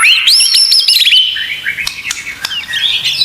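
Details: White-rumped shama song used as a tutor recording: a bright rising whistle opens a rapid run of high trilled notes, followed by softer scattered chirps.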